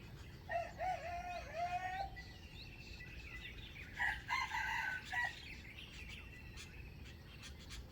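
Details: Wild chicken for trapping wild fowl, 05/07/2025; wavering warbled notes lead off, then a crow in several short bursts, with scattered clicks and faint bird chirps behind.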